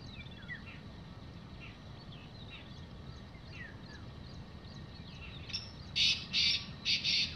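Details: Wild black francolin calling in the evening in open, free surroundings: three loud, harsh, rasping bursts near the end, preceded by faint scattered chirps of other birds over a low rural background hum.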